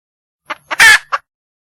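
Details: Hen red junglefowl in the wild calling for a male: a cluck, a second cluck, a loud raspy squawk, and one closing cluck.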